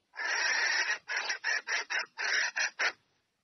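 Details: Female red junglefowl calling a male to come and mate: one long, harsh, raspy note, then about six short rasping bursts in quick succession, with no other sounds around it.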